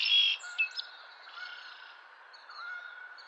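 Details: A male Song sparrow on April 10, 2023 gives a loud, buzzy burst of high notes, then two quick sharp chips trailing into faint thin twitters over a soft steady tone, with Red-winged Blackbird, Killdeer, gull, robin, grackle and Canada Goose in the background.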